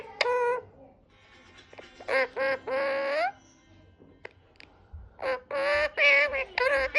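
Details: Talking parrot giving a series of nasal, harmonic speech-like syllables in short bursts separated by pauses, some rising and falling in pitch, with soft background music.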